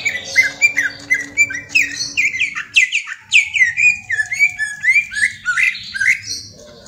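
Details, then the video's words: Greater green leafbird, a young caged bird, delivering a long run of loud slurred whistles and chattering notes, rising and falling in rapid succession with barely a pause, over a faint steady low hum. "Cucak Ijo Balita Doyan Ngentrok"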